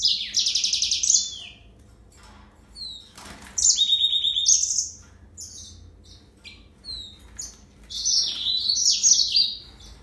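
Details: Yellow-fronted canary delivering repeated phrases of fast, ringing trills high in pitch. The phrases are separated by short pauses and mixed with slurred whistles and quick twittering runs.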